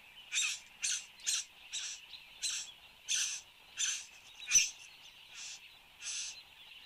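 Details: Satin bowerbird displaying at its bower in Australia, morning of 10 January 2015, filmed by a fixed camera: about ten harsh, buzzy, rasping bursts, each under half a second, spaced irregularly over seven seconds above a steady high insect hum.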